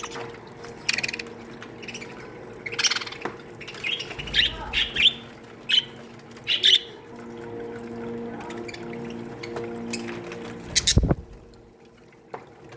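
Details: Budgerigars in an aviary colony, a flock of chirps and squawks: sharp high calls bursting in clusters around three to seven seconds, a low steady hum beneath, one loud thump near eleven seconds.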